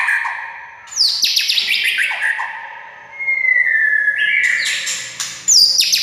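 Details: White-rumped shama song used to make a quiet shama start singing: a fast cascade of chattering notes giving way to a long, smooth whistle, then a sharp high flourish.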